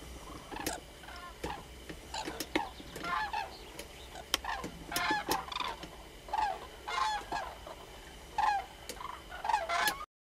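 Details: Common crane calling: loud, trumpeting honks with rich harmonics, given in irregular bursts and often overlapping over about ten seconds, above a faint background hiss.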